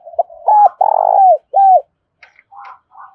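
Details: Spotted dove kept as a decoy bird to draw wild doves, giving loud low cooing phrases: a short note, then two long hoarse coos and a final falling coo, followed by faint softer notes.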